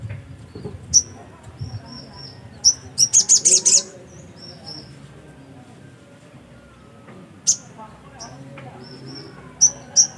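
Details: Black-capped white-eye singing: scattered high thin chirps and short whistles, with one brief rapid burst of sharp twittering notes, over a quiet low background murmur.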